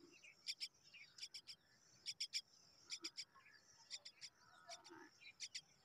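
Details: Hungry common myna chicks wait for their mother and beg. Sharp, high, raspy double and triple chips come in quick bursts about once a second. A faint lower note sounds between them.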